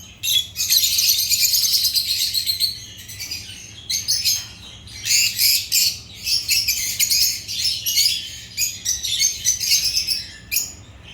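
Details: Chirping of Agapornis lovebirds, African pet parrots: a long, loud burst of piercing squeaky chatter, then shorter rhythmic bursts of shrill twitters with small gaps between them.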